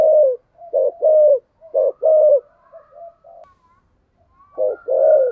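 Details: Decoy spotted dove in the 'giọng thổ' voice style, giving 'thúc' and 'gù' calls: low hollow coos in short-long pairs about once a second, with a faint softer cooing behind.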